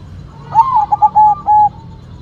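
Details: White zebra dove (perkutut) in full song: a short rising-falling coo, then quick clipped notes and two long level mellow coos, all near one pitch, over soft low background hum.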